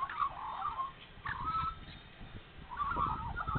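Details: Australian magpies in spring at Nowra, NSW, early in the morning after being fed, carolling in three warbling, gurgling bursts of about a second each, with a steady low rumble underneath.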